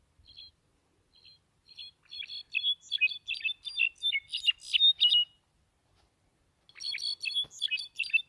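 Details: A privately owned European goldfinch sings a fast, jangling twitter of high chirps and slurred trills, several notes a second, building into a dense burst, pausing briefly, then starting up again.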